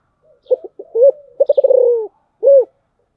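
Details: 'Giọng thổ' song of a spotted dove. It opens with faint clicks and short notes and a gentle arched coo, then a fast series of stuttered pulses trailing into a sustained lowering coo, and ends with a single full coo.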